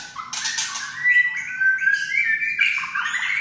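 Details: White-rumped shama kretekan used to rouse other shamas to sing: a harsh scratchy burst, then clear rising whistled notes stepping upward in short phrases.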